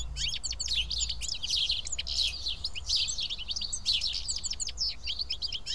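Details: A feeding group of house sparrows at Karyotissa, Greece, chatters constantly: quick, high chirps layered densely, with a brief low rumble near the start.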